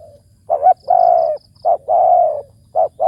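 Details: Big-voiced decoy spotted dove, ku ang kham coo. A short note, then a long low coo, repeated, with a brief soft note at the start and faint high clicking between phrases.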